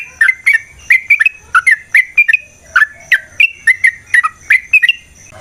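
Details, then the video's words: Yellow-vented bulbul song used to stir up an aggressive fighting reaction: lively bursts of sharp chirped notes, each quick and bending in pitch, delivered in a steady rapid series with brief gaps between notes. "Suara Burung TRUCUKAN gacor TARUNG ROPEL PANJANG pancingan trucukan agar JADI trucuk gacor EMOSI"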